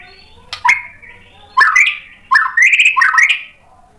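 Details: A white-rumped shama provoked by a rival sings short bursts separated by pauses: a sharp note, then rising and falling whistled warbles in three phrases, with quiet background between them.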